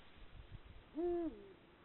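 A single deep, resonant Eurasian eagle-owl hoot, held steady for about a third of a second before sliding slightly lower, over a quiet low rumble.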